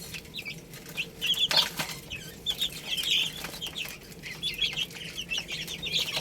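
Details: Baby chickens eating rice chirp in a scattered chorus of high peeps over broad rustling and tapping noise, with a louder burst of calls in the middle.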